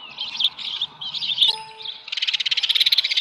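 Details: Ospreys at their Dunrovin Ranch nest, 13 July 2018, roughly 7:10 AM, a small live fish delivered: high chirping phrases, then a fast, even series of pulsed, whistled notes building in loudness toward the end.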